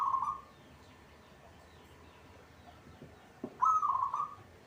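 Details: Local zebra dove in a cage, singing actively: a rapid, rolling coo phrase at the start, then soft clicks and knocks. A second trilled, pulsing coo phrase follows about three seconds later.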